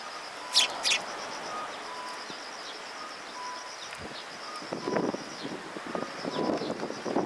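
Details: Sparrows coming to be fed near Mizukami Bridge on 6 September 2022: two sharp, high chirps in quick succession near the start, then rustling and low knocking sounds, all over a steady high insect-like hiss.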